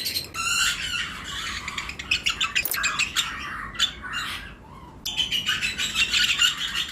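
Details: Lovebird pairs in a flight cage in breeding season, among other birds: loud, harsh squawks and rapid high chirps overlap almost constantly, with a short lull near the middle before the chatter resumes.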